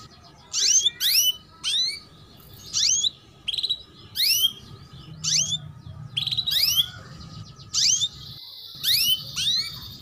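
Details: Female canary calling 'cuit cuit', used to train young males to sing quickly: a steady series of about a dozen high, sharply rising chirps, sometimes doubled, repeated roughly every half second to second over faint background hum.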